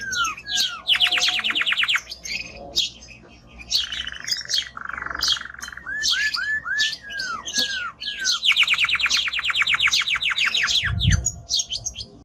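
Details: Powerful song of a male timbrado canary: fast rattling trills of rapid repeated notes, a low buzzy rolling phrase, downslurred whistles and bright chirps, with a soft low knock near the end.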